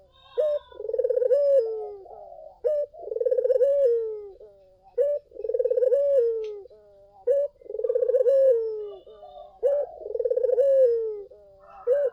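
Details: Collared dove singing vigorously as a lure to draw other doves to answer: a short sharp opening note, then a long rolling pulsed coo that slides downward, repeated about every two seconds, five phrases.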